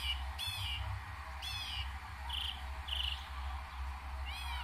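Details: Northern mockingbird in New Jersey in May 2021, which imitates other birds and sounds, sings short, varied phrases: harsh stacked notes, burry chirps and a downslurred series, about one per second, over a low steady rumble.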